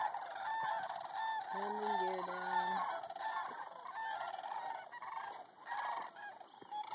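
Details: Sandhill cranes relaxing on a pond near Bosque del Apache, New Mexico: a continuous chorus of rolling bugles from the flock, with a low, drawn-out honking note from another bird early on.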